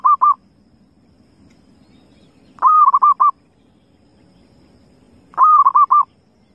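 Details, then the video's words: Repeated cooing phrases from a wild zebra dove, each a quick cluster of four to five mellow notes, spaced about two and a half seconds apart against a quiet, faintly noisy background. "suara perkukut liar"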